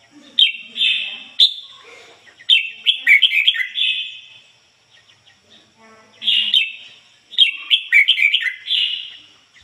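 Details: Ngoi bổi song from a caged red-whiskered bulbul decoy bird. Lively warbled whistle runs come in two bouts separated by a quiet spell, with faint background sounds.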